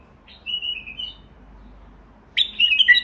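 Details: Song of a Basra bulbul: one long wavering whistle, a quiet gap, then a loud tumbling run of bright, rapid warbled notes.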